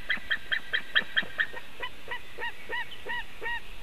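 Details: White-tailed eagle at its nest in Latvia, 2018, heard through a webcam: a rapid string of sharp yelps that slows into softer, evenly spaced, arched notes, over a steady background hiss.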